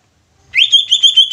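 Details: Greater green leafbird kept as a cage bird, singing to make other leafbirds sing and become agitated. After silence, a rising whistle breaks into a rapid, pulsing warble of clear, high notes.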